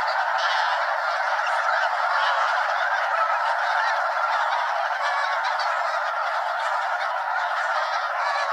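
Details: A mega-flock of more than 200 snow geese circles over Limestone Bay, Wheeler National Wildlife Refuge, Alabama, before settling on the water: steady massed honking, many voices overlapping into a continuous roar.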